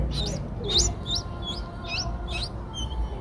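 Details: Eight-day-old Streak-eared Bulbul nestlings recorded in Ubon Ratchathani, Thailand, 10 April 2023: six or so sharp, high, rising chirps at uneven intervals, one louder than the rest, with a steady low hum behind.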